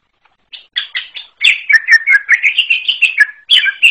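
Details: Forest greater green leafbird song opening with a few spaced chirps, then running into a fast jumble of twittering, slurred notes with crisp high clicks.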